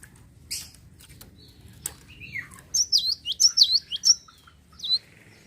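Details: Java sparrow song meant to trigger singing in other birds: after a few clicks and a lower slurred note, a burst of high, tinkling chirps that fall in pitch, ending with one separate chirp.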